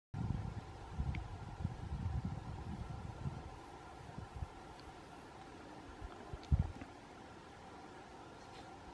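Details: Quiet outdoor hum with low rumbling bumps and a faint steady tone, no calls standing out.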